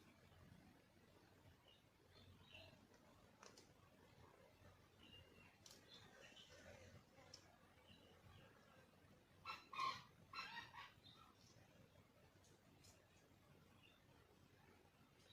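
A wild junglefowl crows once partway through, a short, harsh, clipped crow over a quiet, faintly hissing forest background.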